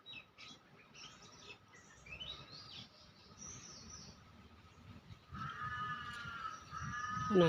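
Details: Several Oriental magpie-robins gathered and perched in a neighbourhood in central Bangkok give varied clear whistles and sliding notes, then harsher, buzzy chattering calls near the end, with a woman speaking in the background.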